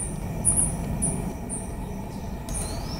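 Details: Ochre-collared piculet at the Botanical Garden, São Paulo, Brazil, 19 December 2017, giving very high, thin, sharp notes about every half second, over a steady low rumble of distant traffic.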